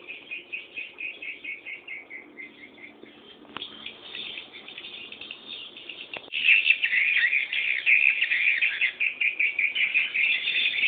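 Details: Swiftlet chicks waiting for their parent give rapid, regularly pulsed high chirps at first, then after a few clicks the begging chorus grows louder into a dense, shrill twittering.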